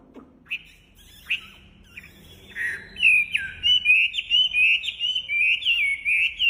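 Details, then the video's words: Wambi bird in full song: after a few scattered chirps, a fast steady string of sweet warbled whistles, each note bending up and down, repeated more than once a second. "Suara Khas Burung Wambi Gacor Enak Suaranya"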